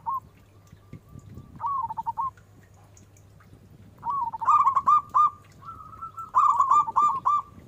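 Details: Big-voiced local zebra dove song used to lure a response. Rolling cooing phrases, a short burst early, then longer bubbling runs that end in sustained coo notes, with a faint low hum beneath.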